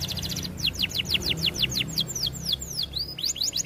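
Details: Canary singing vigorously (gacor) in a recording used as a tutor for training other canaries: a fast series of high, steeply falling whistled sweeps, about two per second, then shorter notes and a rising slur, over a low background hum.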